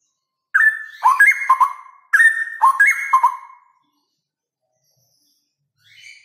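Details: Male straw-headed bulbul singing loudly and rapidly: two loud, rich, bubbling phrases of liquid warbled notes that step down and then up, each about one and a half seconds long, followed by silence.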